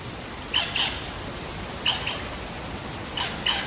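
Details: Lyrebird song from the wild in Megalong Valley, Blue Mountains, Australia: paired bright whistled notes repeated roughly every 1.3 seconds over steady background hiss.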